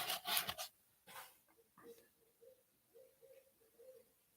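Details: Owl hooting outside at night, heard from indoors, moving through the woods and getting closer. Soft, low, evenly pitched hoots come in a loose series of short notes after a burst of speech and breathing.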